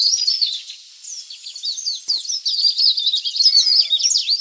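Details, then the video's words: Leaf warbler lure call for attracting wild birds, with rapid high squeaky chirps and scratchy twittering, a short quiet gap, then faint steady tones behind the chattering near the end. "suara pikat burung cikrak daun/ pare-pare ribut"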